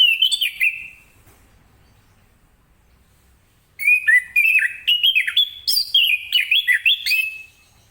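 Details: A morning orange-headed thrush gives ngeplong-style song to set other birds singing. A short slurred whistle is followed by a long silence. Then comes a lively run of clear, stepped whistles, rising and falling quickly for nearly four seconds.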